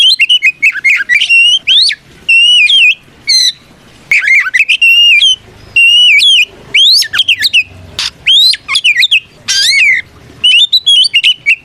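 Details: Kacer, the Oriental magpie-robin, delivering a gacor ngeplong fighting song that calls out rivals. Long varied phrases of ringing whistled notes, rising slurs and quick trills run almost without pause, separated by brief gaps.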